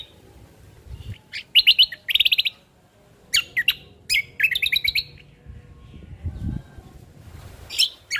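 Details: Ruby-throated bulbul, locally cucak kombo, singing on a tutor and lure recording: clusters of sharp, rapid warbling notes in brief bursts with gaps between, plus faint low rumbles.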